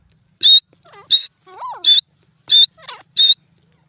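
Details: Francolin giving loud, clipped high notes spaced roughly every seven tenths of a second, with softer wavering lower calls slipped between them, over a quiet background.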